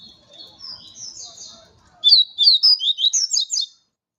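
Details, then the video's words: Double-collared seedeater in campeada, a territorial challenge: faint high warbling at first, then a loud burst of quick, sharp, twittering notes and slurred whistles, about nine notes in under two seconds. "papa capim peito amarelo Broly na campeada"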